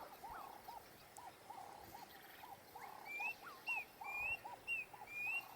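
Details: A male Klaas's cuckoo sitting atop an acacia tree at Ol Pejeta gives its territorial call: high, rising whistles in a quick series, about two a second. Lower arched notes from another caller repeat steadily underneath.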